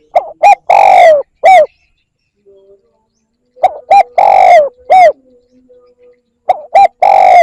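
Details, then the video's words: Repeated lure calls of a spotted dove, the 'kích bổi' type: two quick notes, a long falling coo and a short final note, the phrase given three times with pauses of about two seconds. "CU gáy gọi kích bổi nhanh nổi Hiệu quả / Tiếng chim cu gáy kích bổi"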